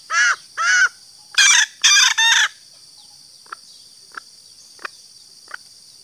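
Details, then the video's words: Female green junglefowl calling to lure males: two harsh arched notes, then a louder burst of three over about two and a half seconds, followed by faint sharp ticks against a steady high insect hum. "suara betina ayam hutan hijau"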